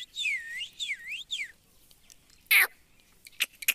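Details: Pet blue ringneck parrot whistling three wavering, swooping notes in quick succession, followed by a sharp burst and a few short clicks.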